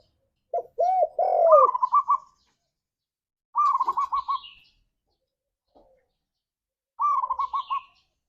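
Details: Spotted dove (tekukur) lure song in the gacor ngalas style, played to excite a kept dove into singing: an opening run of low, hollow, arched coos, then brief rapid trilled bursts that repeat twice more after pauses. Faint higher chirps are also heard.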